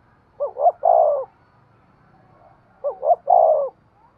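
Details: Spotted dove cooing to stimulate a male: two matching phrases about two and a half seconds apart, each a double short hoot followed by a longer sustained coo, over quiet background.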